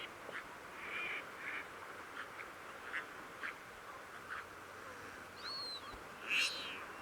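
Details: Crested duck recorded on 18 June during monitoring at the Coyle River estuary, Santa Cruz, Patagonia, Argentina; a series of gruff quacks, then a high whistled note and a loud sharp call near the end.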